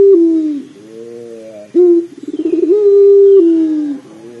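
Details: Cooing of a pelung dove, played to coax a dove into calling quickly. A falling coo tail gives way to a quiet pause, then a clipped opening note, a throbbing, pulsing roll and a sustained level coo that droops near the end.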